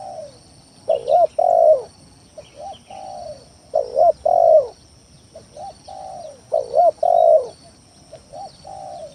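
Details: Spotted dove lure song for provoking rival doves. Repeated phrases come roughly every three seconds, each a stuttered pair of notes followed by a long, husky falling coo. Loud and softer phrases alternate, with faint high chirps of other birds.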